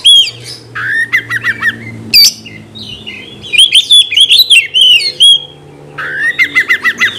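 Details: Energetic song of an Oriental magpie-robin meant to trigger fighting behaviour in rivals. It mixes harsh rasping notes, clusters of rapid downslurred whistles and a long bubbling high warble midway, then returns to repeated descending whistled chips.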